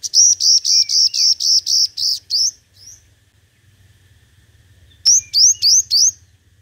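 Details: Five-colored sunbird, a decoy bird, singing in competition: rapid runs of bright, high, slightly rising notes, about eight in quick succession, then a pause and four more upslurred notes.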